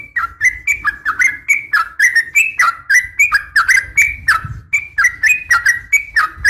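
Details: Sooty-headed bulbul female's morning call to males: continuous lively phrases of slurred, whistled two-part notes, roughly four per second, over a low background rumble.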